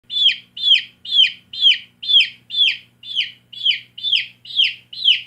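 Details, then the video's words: Baby chicken chicks in a backyard flock, loud high peeping chirps, each note sliding downward, repeated steadily about twice per second with a faint low hum beneath. "Baby Chicks Chirping Sounds"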